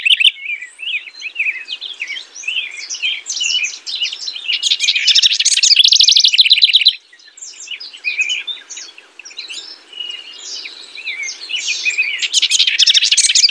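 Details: A house wren pours out a long, energetic song of tumbling chatter and rapid trills, peaking in loudness midway, then continuing more softly before another bright burst at the close.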